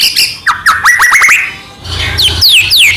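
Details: White-rumped shama song meant to provoke rival shamas: a quick run of upslurred whistles followed by harsher squawky notes and descending whistled slurs.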